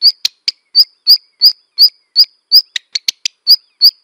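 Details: Black redstart giving a rapid series of short, high chirped notes, about three per second, with a few sharper clicky notes bunched near the end; clean recording with no other sounds.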